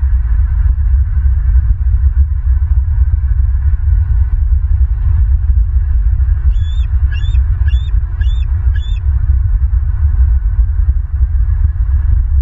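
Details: Bald eagles at a Southwest Florida nest, 27 May 2023 at 15:49: a series of five short, high, squeaky chirps about half a second apart, over constant loud low wind rumble.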